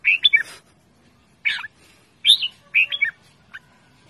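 A red-whiskered bulbul gives five short, bubbly, chirping phrases in about four seconds, bright and mid-high, against a quiet background.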